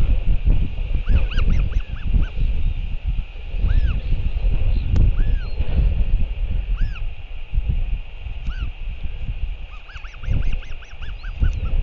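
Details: Royal albatross in New Zealand giving short, arched, honking calls, sometimes in quick runs of three or four, as the father returns to feed the chick at 7:58 pm on 28 March 2023, over a heavy, constant rumble of wind.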